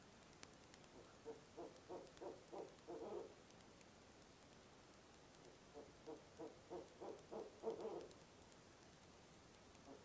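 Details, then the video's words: Barred owl at a nest box at 2am in early November, giving the monkey call: two bursts of rapid, repeated hoarse hoots, each series quickening and rising into a louder, crowded climax, with a quiet pause between. "Barred Owl - Nov 4, 2am Monkey Call"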